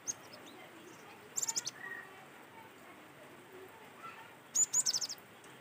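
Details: Cinereous tit in natural song, used as a lure to get other birds singing: two bursts of very high, sharp chipping notes about three seconds apart, with a soft hiss between them.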